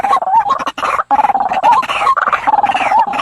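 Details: Night lure of a white-breasted waterhen used to bring birds to snares: continuous coarse croaking and clucking, loud and dense, with a couple of short gaps.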